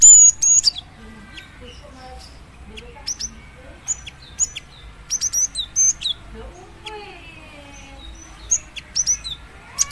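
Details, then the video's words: A female cinereous tit, calling a male, sends out quick high chirps, some in tight bursts and others single, spread through the recording over soft lower-pitched background chatter. "Suara burung gelatik batu betina memanggil jantan"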